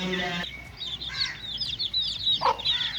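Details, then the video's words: Chicks playing: a brief humming, tonal sound at the start, then a run of bright, curving peeps from little chickens and one sharp louder chirp. "little chicks playing"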